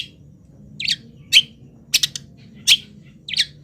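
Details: Long-tailed shrike giving mimicry song while moulting: short scattered chirps and buzzy notes spaced irregularly, some doubled, over a steady low hum.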